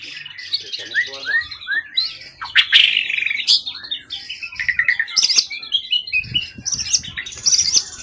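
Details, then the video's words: Wild-caught contest songbird, 20 cm-plus tail, long in care and in peak form: descending slurred whistles, then harsh buzzy bursts and sharp high notes, dense and rapid throughout. "Burung event ori hutan ekor 20cm up lg on banget prestasi burung hutan gk giras ya rawatan lama"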